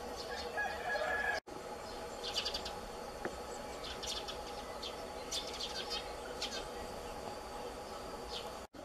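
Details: Nesting Eurasian blue tits on 24 May 2020 give thin, high chirps in short scattered bursts every second or so, over a steady hiss and low hum.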